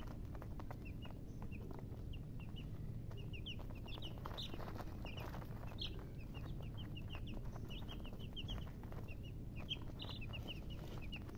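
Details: Chicks give scattered short, high peeps, softer and sparser, under a strong low rumbling background noise.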